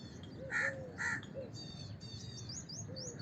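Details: Two hoarse caws from a house crow in quick succession, backed by a chorus of sharp, high whistled notes and chirps from other small birds.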